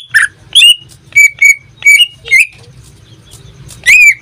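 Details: Greater green leafbird kept as a cage pet gives several separate clear whistles, a few short and level, with a pause before one final rich note.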